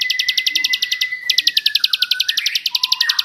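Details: Bar-winged prinia singing a shrill 'jerih' master song for training songbirds: rapid high ticking notes, one brief pause after about a second, then a renewed burst, with a long steady whistle and lower chirps beneath.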